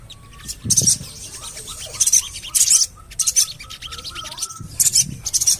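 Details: Javan cochoa lure calls for prompting birds to sing: bursts of loud, scratchy high chatter, with a thin, level whistle early on and occasional low thumps.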